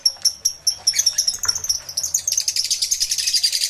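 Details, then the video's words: Aviary lovebirds recorded with two external microphones on a camera. Evenly spaced high chirps speed up into a fast, steady stream of shrill twitters. "1 Hour Lovebird Sounds Aviary Series V1"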